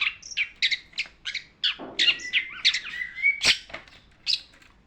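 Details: Long-tailed shrike tutor song for training birds: rapid chattering notes, then a long level whistle that climbs slightly before a sharp, loud click-like note.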